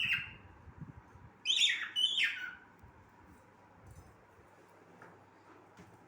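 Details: Cockatiel song with a brief whistle at the start, then a pair of loud, falling, squawky whistles. Faint chirps follow against a low humming background.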